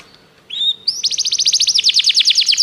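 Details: Training song from a canary: a short clear whistle, then a fast rolling trill of evenly repeated notes that quickens toward the end.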